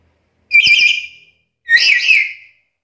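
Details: Black-capped lory, vocally active and able to talk, giving two rich, slightly buzzy whistled phrases in quick succession, the second sliding upward, with faint background clicks.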